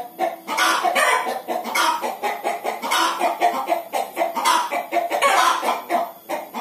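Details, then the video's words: Laying hen cackling steadily, a dense run of harsh, repeated clucks with little pause throughout. "Ayam Betina Mau Bertelor - Hens"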